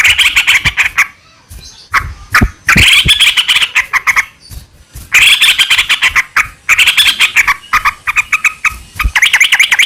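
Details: Sooty-headed bulbul song used as a lure to draw other bulbuls into singing: lively bursts of bubbling, chattering notes, several seconds long and separated by short pauses, with sharp clicks between phrases.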